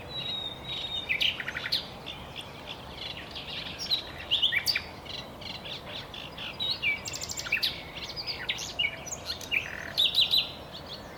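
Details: Common nightingale singing: a long series of varied phrases mixing pure whistles, rapid clicking rattles and buzzy trills, bursts every second or two over constant background noise.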